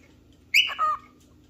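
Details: Calling for a partner or playmate, a cockatiel gives a single harsh, rich call: a high shrill burst followed by a steadier, lower trailing note.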